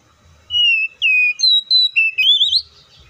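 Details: Oriental magpie-robin giving a loud, clean whistled phrase: a drawn-out descending whistle, a downslurred note, paired higher notes, then a rising wavering flourish trailing off.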